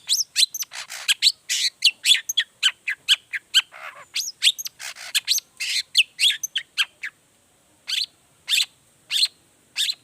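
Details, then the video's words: Energetic long-tailed shrike 'toet toet' variation, played as a lure so other shrikes start singing: a fast run of varied chips and whistles for about seven seconds, then a few spaced harsh notes. "pancingan cendet gacor toet toet variasi"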